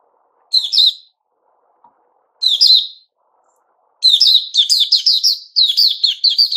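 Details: Singing 'buka' style, a Puteh Raja white-rumped shama recorded 29 August 2021 delivers two short emphatic whistled bursts with pauses, followed by a rapid, continuous string of strident chattering notes.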